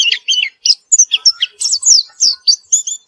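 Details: After therapy, a white-eye sings constantly: quick high chirps and squeaky twitters come in rapid succession, with sharp upslurred and downslurred notes repeated several times a second.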